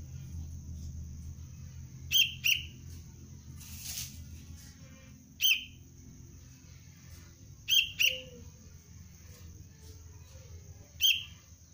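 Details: Young sooty-headed bulbul of the Cengkram line, trained as a lure bird, repeats short, piercing chirps, mostly in doubled pairs, every few seconds, with one rustling burst and a low background hum.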